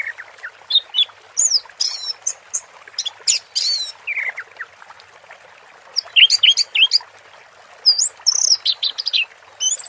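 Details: Song of an orange-headed thrush, 'teler' style, with a water therapy background: scattered looping whistles and buzzy notes, a pause mid-clip, then a dense burst of curling high phrases against constant faint rushing noise.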